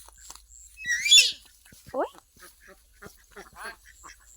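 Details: Talking myna in India mimicking human speech, calling "alok dada": a loud harsh burst near one second, then a short rising syllable, followed by softer scattered chatter and clicks.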